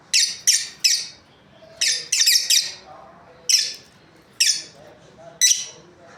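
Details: Lovebirds in a breeding pair chirping in clusters of two or three sharp, high squeaky notes, spread irregularly across six seconds.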